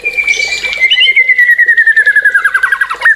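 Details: White-rumped shama singing a long, slowly falling series of fast repeated clipped notes, about two and a half per second, ending in a sharp upward whistle.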